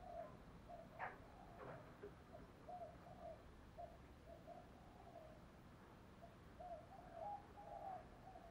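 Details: Spotted dove calling in the urging, summoning style used to stimulate wild-caught birds to call. Soft, low, hollow coos come in short repeated phrases, some notes doubled, over a steady faint hiss, with a sharp click or knock near the start.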